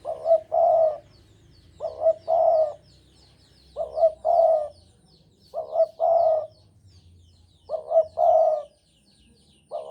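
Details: Javan spotted dove singing hard in breeding mood, its mellow cooing phrase (a stuttered two-part opening, then a drawn-out purring coo) repeated steadily about every two seconds, five full phrases, with faint high chirps in the background.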